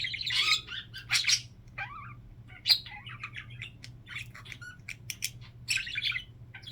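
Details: Pet budgerigar flock indoors, one bird's signature sound copied by the rest: loud harsh squawks and scratchy bursts, then sparse chirps, clicks and brief whistled notes separated by short gaps.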